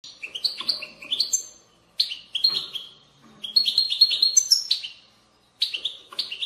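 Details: European goldfinch in a babbling twitter style of song, played to stimulate goldfinches to sing: bursts of rapid, liquid, high twittering notes with quick rising and falling chirps, separated by short pauses, clean background.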